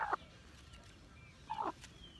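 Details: Hmong black chicken giving two short, harsh clucks about a second and a half apart, with quiet background between them.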